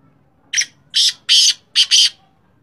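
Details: Sindhi black francolin: a harsh, grating call of five rasping broadband notes. One short note, then two longer ones, then a quick close pair, over a faint low hum.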